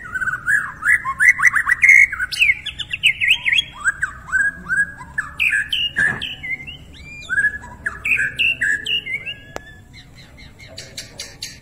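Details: White-rumped shama of the Borneo type, a captive songbird, singing a rich varied song: loud whistled phrases and rapid rising and falling trills, notes sliding and warbling, with sharp clicks and chattering bursts toward the end; faint background hum.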